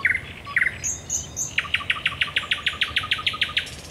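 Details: Night song of a thrush nightingale at the Raszyn Ponds on 10 May 2021, with a few clicked notes and high squeaks followed by a fast, steady run of about twenty loud chock notes.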